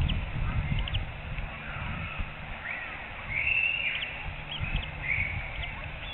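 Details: Adult female eagle on a nest camera at a Surrey reserve, 2:42 p.m. on 4 April 2021, rising and calling out over a day-old hatchling and a pipped egg before feeding fish; thin high whistled notes and one longer piping tone over low rumble.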